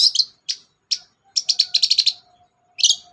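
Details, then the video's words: Sharp chips from a long-tailed shrike, played to stir a silent bird to sing: single high harsh notes spaced apart, then a quick burst of about eight chattering notes and one last rasp. "BURUNG CENDET GACOR DOR, pancingan ampuh cendet gak mau bunyi"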